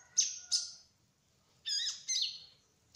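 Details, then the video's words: Trotol-type kolibri ninja sunbird in full rolling song: two bright, high chirps, a gap, then two buzzier, richer notes and a final sharp high tick. "Kolibri Ninja Trotol Gacor Ngerol : Singing Hummingbird"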